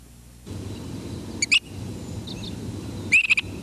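Two loud, rising, burry whistles from a Great Crested Flycatcher, about one and a half seconds apart, with a faint softer note between them over a steady low hum.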